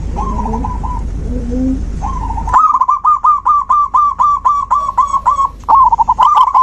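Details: Zebra dove song used as therapy for a dove that has stopped singing: after a faint opening, a fast run of about fifteen short, clipped mid-pitched coos rings out in an even, bubbling series.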